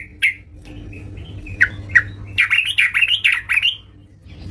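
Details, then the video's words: A yellow-vented bulbul at home, in full voice, gives a few single harsh chips, then a dense bubbling, chattering phrase of rising and falling notes. "terucukan gacor di rumah"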